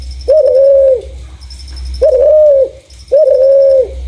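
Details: Three long, level coos from a clear-voiced spotted dove, used as a lure for other doves, each beginning with a small upward slide. Faint high ticking can be heard between them.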